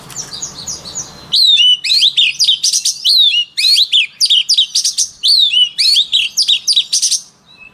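Oriental magpie-robin singing a rich, fast run of clear whistles, slurred notes and scratchy trills in quick, varied phrases, after a brief burst of low noise.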